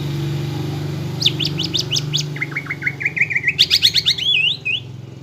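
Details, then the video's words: Greater green leafbird lure song to provoke fighting mood in caged birds: a row of sharp falling notes, then rapid chattering phrases ending in a wavering warbled trill, over a constant low hum. "PANCINGAN CUCAK IJO GACOR AGAR EMOSI UNTUK MEMBENTUK MENTAL FIGHTER"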